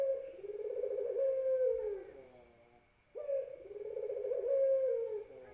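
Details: Two deep, tremulous coos from a Barbary dove, each beginning with a crisp onset and trailing off in a falling purr, separated by a brief quiet gap; steady whine in background.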